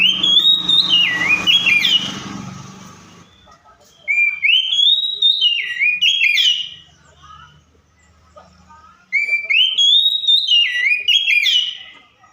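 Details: Oriental magpie-robin imitating other birds. The same warbled whistled phrase, with up-and-down slurs, comes three times about every four seconds. Quiet pauses with a faint hum fall between the phrases.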